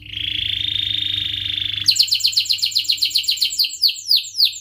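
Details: Canary song for stimulating rivals and tutoring young canaries: a long even buzzy trill, then a rapid run of crisp descending chirps that slows to wider-spaced sweeps. A low hum lies underneath.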